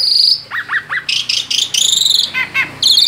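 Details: Caged-bird male Asian pied starling, out of its cage, in full rolling song: a long buzzy high note, then three quick downward whistles, clusters of rasping metallic chatter and a final bright buzzy trill.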